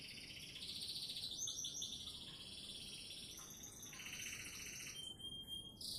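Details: Canary song from Sidoarjo, Indonesia: fast high trills and rolling buzzy phrases switching pitch every second or so, continuous and varied throughout.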